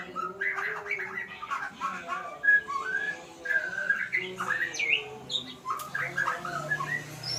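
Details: White-rumped shama learning sounds in a fairly low, mellow register, giving many short whistles and warbled phrases, some with upward slurs, continuing almost without pause; a low steady hum sounds toward the end.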